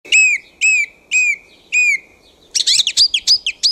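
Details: Thrush singing at night in a back garden: a loud whistled phrase ending in a downslur, repeated four times with short pauses, then a rapid, scratchy twittering phrase of high notes.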